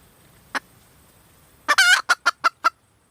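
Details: Female red junglefowl giving one lone cluck, then after a pause a rasping drawn-out squawk followed by four quick clipped clucks.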